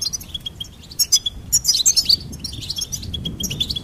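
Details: Singing goldfinch gives a sequence of thin repeated notes, then a louder, excited burst of tinkling twitters and buzzy trills before settling again.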